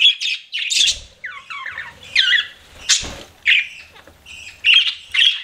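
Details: Pet budgies give separate short bursts of chirps and squeaky warbled notes with gaps between, including a few sliding, whistled inflections and sharp high squeaks.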